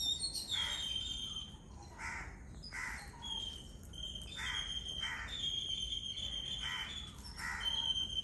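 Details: Yellow-billed Babblers in a flock eat coconut from a coconut shell, giving repeated short, grating squawks every second or so. A steady high thin whistle from another bird runs alongside them.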